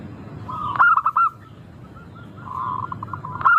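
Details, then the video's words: Local zebra dove, recorded as a lure to set birds singing: one clear phrase of rolling coos, then a rising, murmured cooing and the start of another loud phrase. "Pancingan burung perkutut lokal Suara merdu kristal sangat ampuh bikin cepat bunyi langsung gacor"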